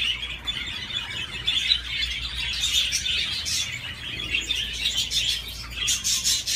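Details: A budgie on a swing chatters nonstop in a busy, gravelly warble with bursts of clicking and brief squeaks. A faint low hum runs throughout.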